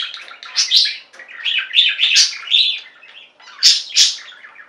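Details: Budgerigar flock kept as pets, chirping and singing; busy warbled chatter in uneven bursts, with shrill squeaks standing out near the start and end and a brief lull in between.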